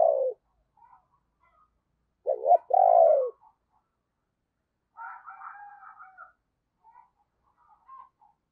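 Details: Decoy spotted dove cooing in the morning to draw in wild birds: a loud hollow coo opens, then a strong two-part phrase, a short notched note and a long falling one, followed by fainter, softer cooing notes.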